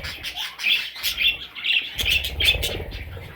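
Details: Short burst of parrot chicks' squeaky, rasping chirps in quick succession, joined halfway by a low rumbling background.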